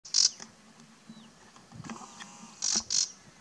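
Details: Bay-backed shrike switching from its usual call to mimicry of what seems to be a warbler: three short, sharp, very high chips, one at the start and two close together near the end, with faint softer notes between.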